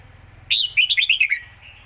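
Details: Red-whiskered bulbul with fast, rapid-fire zone-style song: an emphatic first whistle, brief gap, then a rolling series of half a dozen quick liquid notes dropping in pitch, low hum beneath.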